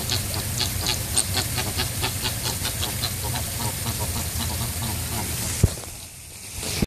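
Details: Several angry Chilean flamingos in a noisy chorus of overlapping honking, nasal calls repeated quickly. The chorus cuts off abruptly near the end, leaving a quieter gap with a low background hum.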